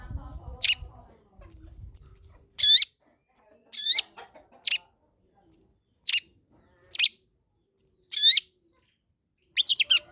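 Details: Long-tailed shrike singing hard, offered as a training lure for quiet shrikes: a run of sharp high ticks mixed with rasping buzzy phrases, several per second, after a brief low rumble at the start.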